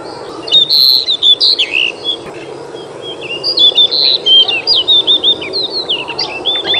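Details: Small black-and-white Pied Bushchat (kacer mini or decu), 21 June 2021, singing a lively string of sharp, clear whistled notes. The notes come in quick chains with swooping upslurs and downslurs and short gaps between bursts.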